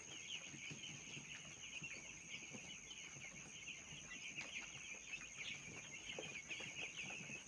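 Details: Young broiler chicks being reared, a dense flock chorus of high, thin peeps overlapping continuously throughout, with a steady high-pitched mechanical hum in the background.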